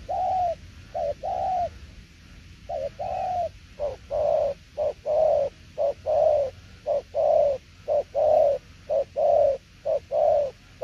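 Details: Spotted dove cooing in the tiểu liên nước style: low mellow coos, a short note then a longer drawn-out one, repeated steadily about once a second for the whole stretch, with a faint low hum behind.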